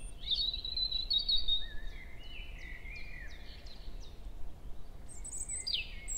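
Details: Forest at Hoher Peißenberg, early May, 7 a.m.: European robin male singing while a female nearby swaps contact calls. Sparkling high twitter opens, then a series of short falling notes over a soft whistle, ending with piercing high strokes.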